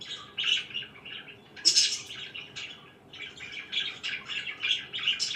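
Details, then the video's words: Morning chatter of pet budgerigars: clumps of scratchy warbles and a loud harsh squawk, then a short lull before the chirping resumes. "CHIRPING IN THE MORNING"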